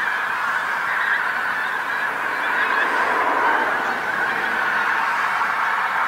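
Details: Pink-footed Geese, a big flock settling on a field next to the A149 along the North Norfolk coast at sunset; steady massed honking, many voices blending into a continuous yelping roar with slight swells in intensity.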